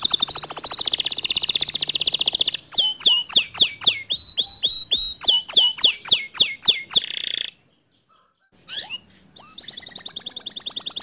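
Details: Canary song for encouraging a reluctant canary to sing: a rapid rolling trill, then repeated downward-sweeping whistles, a brief pause, and a final fast trill.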